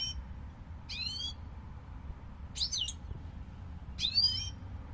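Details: European goldfinch repeating short, bright, liquid twitters roughly every one and a half seconds, each a cluster of swooping notes, over faint low-frequency room noise.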